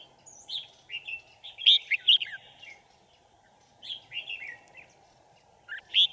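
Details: Red-whiskered bulbul singing as a decoy beside a trap for wild birds, 5 January 2018; two bursts of lively whistled chirps separated by a quiet gap, with a low continuous hum beneath.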